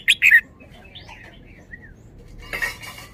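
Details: Red-whiskered bulbul showing off a 'double' song style: a quick burst of three loud, chirpy notes at the start, then near quiet, then a rougher, noisier cluster of notes near the end.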